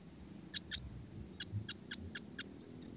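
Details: Red siskin singing clearly in the rapid 'roll tembak' style used to train small fighter songbirds: a quick series of about ten short, piercing high chirps repeated roughly every quarter second, with faint low rumble underneath.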